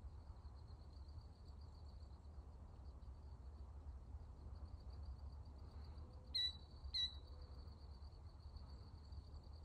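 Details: A killdeer on 19 June 2024 gives two sharp, shrill notes about half a second apart, over a steady high insect drone and a low rumble of wind or distant traffic.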